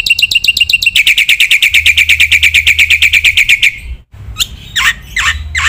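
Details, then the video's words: Black-winged myna masteran training recording, full of varied phrases: a long, fast run of sharp, evenly repeated chirps, about three per second, then scattered rising and falling notes after a brief cut. "masteran jalak putih gacor full isian sekali dengar semua burung jalak terpancing emosi"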